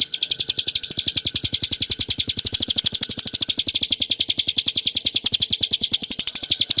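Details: Song of a hill prinia, used as cage-bird training material: a long, unbroken series of bright, high, clear notes in fast even rhythm, each matched by a soft low pulse.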